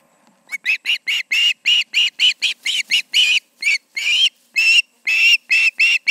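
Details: At the Charlo osprey nest, August 20, 2019, 7pm, with two birds present: a fast, agitated series of about twenty short whistled chirps, closely spaced, a few longer notes near the end.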